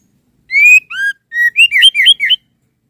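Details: A female white-rumped shama calls the male with a sequence of clean whistles, one long rising note, a lower falling one, then a fast string of short looping whistled notes rising and dropping in pitch.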